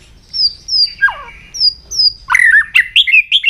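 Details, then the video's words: White-rumped shama morning song during voice training: two pairs of high, sweet whistles, then a slurred note falling steeply, ending in a quick run of bright, varied chirping notes. "chòe lửa hót sáng luyện giọng chòe lửa hót"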